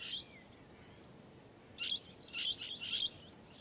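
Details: Blue-headed parrot giving a harsh, scratchy note, then after a pause a burst of three rough, chattering screeches, all high-pitched and close together, over a faint steady background hiss.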